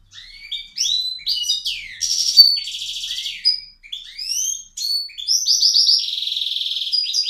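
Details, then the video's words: Caged male bird singing loudly as someone enters the room: a rapid, varied run of high, sharp whistles, upswept chirps and buzzy trills, some notes repeated in quick series, with no other sounds. "This crazy bird sings very loud"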